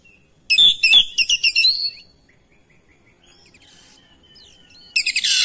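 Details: Oriental magpie-robin responding to another singing magpie-robin, singing persistently through its repertoire. It gives a burst of sharp, high, ringing notes in rapid succession, then a quiet gap with faint distant twitters, and another loud phrase begins at the end.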